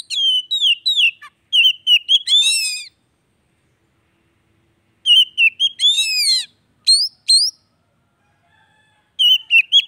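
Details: Song of the Oriental magpie-robin used to bring a non-singing kacer back to voice: runs of clear whistles and warbled slurs with scratchy, rasping flourishes, broken by a long quiet stretch before resuming.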